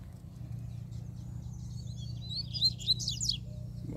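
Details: Wild double-collared seedeater singing loudly. The song starts with a thin high whistle, then builds into a fast burst of sharp, buzzy, descending notes near the end. A low hum runs underneath.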